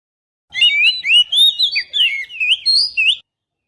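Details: Oriental magpie-robin singing as a bird lure, captured on a GoPro Hero: a brisk, unbroken sequence of warbling whistled notes, wavering up and down, lasting under three seconds between silences.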